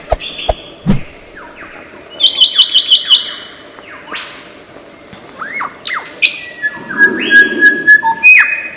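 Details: Lyrebird in Australian forest, a famously imitative bird, giving a varied medley of whistled notes: long steady tones, falling slurs, a quick stuttered run near two seconds, and rising sweeps, with low hum beneath.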